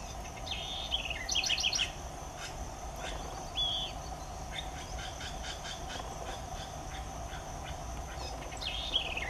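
Southern house wren giving quick bubbling phrases of sharp notes and trills, with a few clear whistled slurs, over steady insect hum and rural background noise.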